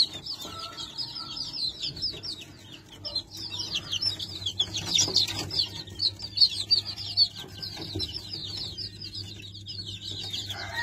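A crowd of Leghorn chicks peeping nonstop, high thin chirps tumbling over one another, with a steady low hum underneath.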